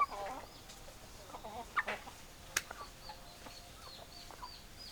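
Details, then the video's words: Chickens clucking quietly: a few scattered, short clucks and sharp clicks, with faint high chirps sliding downward in the background. "Chicken Sounds Noises Hens Clucking Roosters Crowing"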